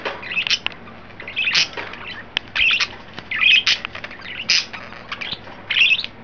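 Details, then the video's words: Excited, playful pet budgerigars, three birds kept indoors; busy warbling chatter of sharp chirps and scratchy squawks repeating every second or so over a faint low hum. "excited and playful budgies"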